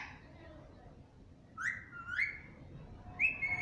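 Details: Pet Alexandrine parakeet (pahadi parrot) indoors giving a few upward-sliding whistled calls in the second half after a quiet start, with a final sharp whistle near the end; faint background hiss.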